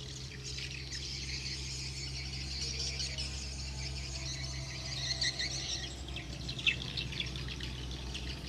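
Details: Swiftlets returning fill the air with a dense, continuous twittering of high chirps and buzzy squeaks, with a steady low hum running underneath.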